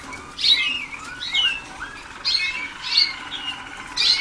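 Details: Waterslager canary pupils early in song training, 2010: bursts of chirps and short slurred whistles repeated roughly every second, over a constant faint tone and background hum.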